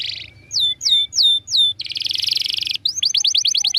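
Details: Canary master song for training birds: a run of four descending whistled slurs, then a dense rapid buzzing trill, then fast repeated falling notes, bright and high over quiet background.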